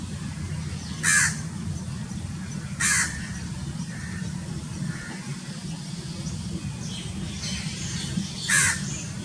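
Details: House crow (grey-necked crow) in Pakistan giving three loud, hoarse caws, the first two about two seconds apart and the last after a long pause, with faint high chirps from other birds and low background rumble.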